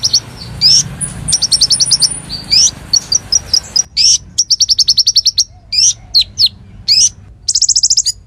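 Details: Konin in full, lively song, kept as a tutor bird for magpie-robins and fighter birds: high sharp rising whistles alternating with rapid chattering trills of repeated clicky notes and a buzzy rattling burst near the end, against a quiet background.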